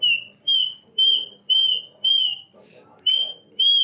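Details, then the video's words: A cockatoo, dancing and singing to express joy, gives clear, level whistles, each about half a second long, repeated roughly twice a second with brief gaps, over faint low murmuring. "kakatua(cockatoo) bird stunning dancing and singing"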